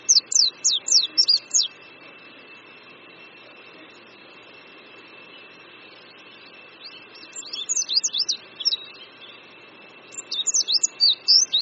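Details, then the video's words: Oriental white-eye singing, shown perched on a branch above a creek at Qingdao University, Shandong, China, in spring: bursts of rapid, high, thin twittering notes at the start, near eight seconds and at the end, over a steady faint tone. "Oriental White-eye Singing"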